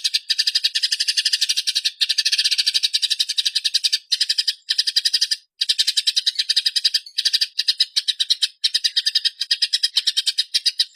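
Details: Eurasian tree sparrow fighting, in a long, clear recording used to train songbirds: long rolling bouts of rapid, scratchy chirps, broken by brief pauses every few seconds.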